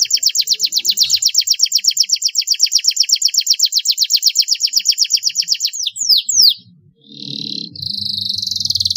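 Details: A canary, recorded to stimulate other canaries into singing, sings a long, even, high trill of rapid repeated notes, then a few sharp upslurred notes and a buzzy, rattling phrase.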